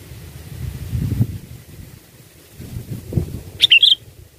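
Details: Song of a sooty-headed bulbul meant to lure birds for catching: low rumbling background noise for several seconds, then one brief bubbly phrase of bright chirping notes near the end.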